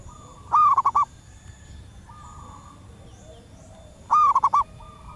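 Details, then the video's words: Local wild female zebra dove luring wild birds with her call: two repeated phrases roughly three and a half seconds apart, each a long note and quick stuttering coos, faint doves replying in between. "Suara perkutut alam liar pikat burung sekampung nyaut penuh emosi"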